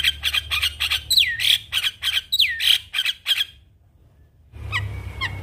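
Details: Singing Javan myna in full-song mode with mimicked phrases: rapid harsh chattering notes broken by two swooping whistles, a silent gap, then faint chips and a thin drawn-out whistle.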